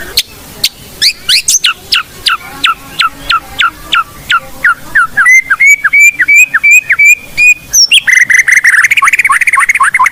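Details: Blorok white-rumped shama song used to train other birds, rich in imitated phrases: a steady series of sharp falling notes, then even repeated whistles at one pitch, ending in fast buzzy falling notes.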